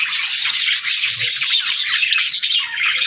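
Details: Pet budgerigars chirping together in a loud, constant wash of high twitters, thin whistled notes and buzzy squawks, with no breaks.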